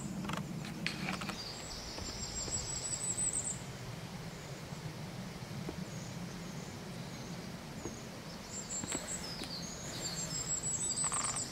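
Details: Firecrest singing in Oslo on 5 July 2019: thin, very high-pitched rapid note series, two bursts a few seconds apart, over steady low rumble and rustling background.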